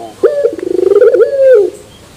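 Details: Turtle dove in pelung style with a metallic ending (terasan bermetal): one long low coo, a stuttering rolled start easing into a drawn-out steady tone that fades away.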